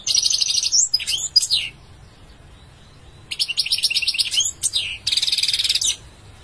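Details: A European goldfinch delivers short twittering and buzzy phrases, a pause of over a second, then more tinkling, quickly repeated notes.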